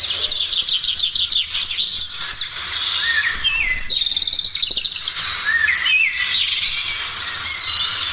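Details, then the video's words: On a morning, several birds sing at once in a dense chorus of high, fast chirps, trills and rising whistles, overlapping without pause. "Morning sounds of birds"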